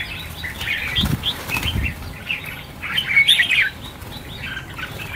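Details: Red-whiskered bulbuls, part of a release of 1000 birds, give a dense burst of short chirps and warbled notes, with soft thumps of flapping wings mixed in.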